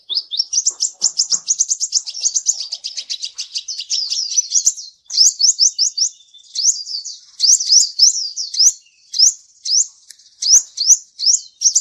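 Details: Olive-backed sunbird lure song for a bird that is slow to sing: a long, fast run of high upslurred chirps, then separate bursts of sharp rising notes with short pauses between.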